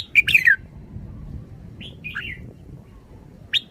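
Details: Red-whiskered bulbul opening with a loud, rapid warbled phrase, then a pause, softer whistled notes midway, and the start of another phrase at the close. Quiet rumbling background.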